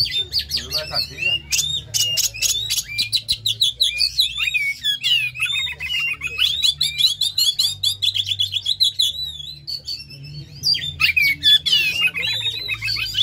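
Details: Lure recording of an Oriental magpie-robin in intense, emotional song, meant to trigger caged birds to sing: a long, unbroken stream of varied whistles, rapid stuttering chips and warbled phrases, briefly softer midway before surging again, over a constant low hum.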